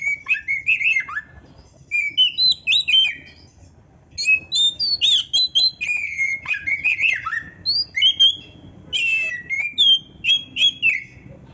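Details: Oriental magpie-robin singing varied canary-like phrases: clusters of bright chirps, warbles and sliding whistles separated by brief pauses, each phrase rising and falling in pitch.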